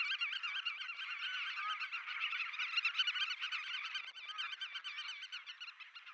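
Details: Mating pair of black-tailed godwits at Poelgeest, the Netherlands, on 29 March 2024, giving a steady stream of nasal, wavering calls, overlapping and repeated more than twice a second.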